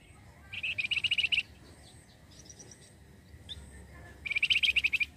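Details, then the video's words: Lively flamboyan bird song used to lure other birds: two fast bursts of sharp repeated chirps separated by a quiet gap with faint high twittering, over soft background noise. "pancingan flamboyan gacor cocok pancing burung bahan"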